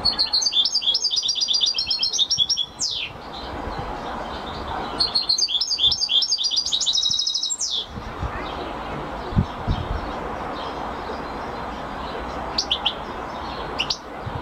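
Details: European goldfinch delivering two long, rapid bursts of liquid twittering song, each ending in a downward-sliding note, followed by hushed background noise with a few scattered chirps.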